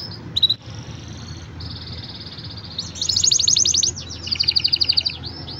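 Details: Green canary singing: thin, high whistled notes and sustained tones, then two bursts of fast, buzzy, metallic trills near the end, each rattling rapidly for about half a second; faint low background hum.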